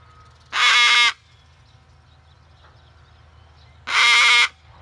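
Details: A rescue umbrella cockatoo with heavy feather loss, angry at construction across the street, gives two loud, harsh, grating half-second screams about three seconds apart over a low background hum.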